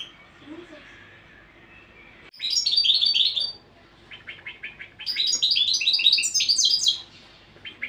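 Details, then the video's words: European goldfinch training song: after a quiet start, two bursts of rapid, high, liquid twittering with tinkling notes and short buzzy trills, the second longer and fuller, over faint background hiss. "تغريد الحسون"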